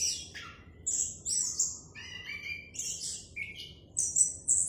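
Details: Orange-headed thrush singing clearly, with varied whistled phrases alternating between high sustained notes and lower slurred ones, in bursts about every half second.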